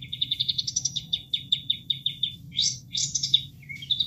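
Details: A bulbul sings for caged-bird training: rapid ticking notes rising into a quick trill, then buzzy bursts and a brief low whistle, over soft flowing water.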